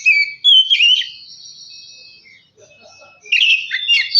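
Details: Oriental magpie-robin song meant to provoke singing and aggression: loud whistled and warbled notes, a long fading thin whistle, near-silence, then a renewed burst of excited chattering phrases.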